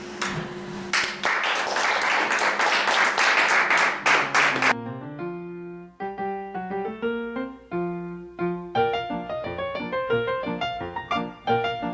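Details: Piano and keyboard music over a noisy, clap-like opening, with no animal sounds heard.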